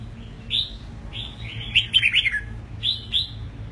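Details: Red-whiskered bulbul, an eight-month-old caged bird just through its moult, gives bright whistled phrases: a single note, a rolling warbled cluster of descending slurs, then two more clear whistles.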